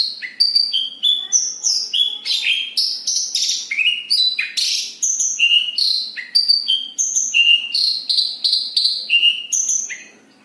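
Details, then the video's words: Javan bush lark from Kediri singing a long, tightly rolled sequence of crisp chirps and short slurred whistles at shifting pitches, fast and varied, fading away at the very end. "Branjagan gacor ngeroll rapat."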